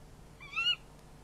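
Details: Barn owl at the nest during a prey handover, filmed by a nest camera at night: a single short, high, strained wheezing call lasting under half a second, over quiet low background hum.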